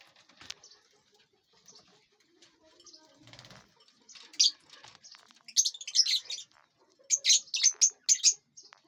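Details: Lovebirds eating and flying in a large aviary; faint rustling at first, then a run of sharp high chirps in quick bursts during the second half.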